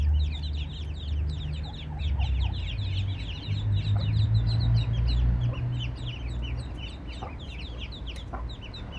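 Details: Eastern spot-billed duck mother with ducklings that strayed into a spot with no ponds, rivers or water nearby; rapid, thin, high downslurred peeps pour out continuously, many overlapping, over a loud steady low rumble.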